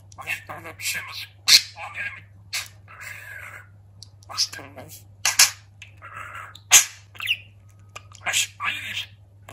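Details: Pet budgerigar that talks, producing a rapid, high, speech-like babble of hissy syllables and sharp clicks in uneven bursts, set against a steady low hum in a room.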